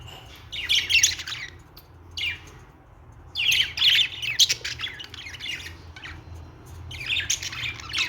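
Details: Budgerigar song of harsh, chattering warble bursts, each lasting about a second, separated by brief quiet gaps, over a steady low background hum.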